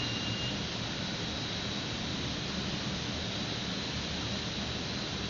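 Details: Constant rushing noise, similar to wind or a nearby engine hum, continues throughout without any bird or animal voice.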